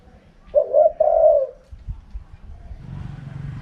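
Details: A single Spotted dove phrase in the wild 'karam pa' cooing style: two quick soft coos and a longer mellow note, then a rising hiss of background noise.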